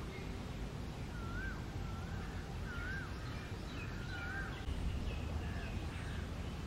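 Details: Yellow-footed green pigeons feeding on fruit in a tree; soft, wavering whistled notes, each rising and falling, about once a second over steady low rumbling background noise.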